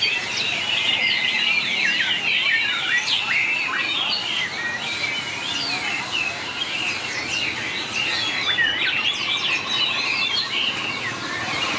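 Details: White-rumped shama contest song. Rapid whistles, sharp sweeps and chattering notes overlap almost continuously. Near the end a buzzy, even rattle sounds beneath the singing.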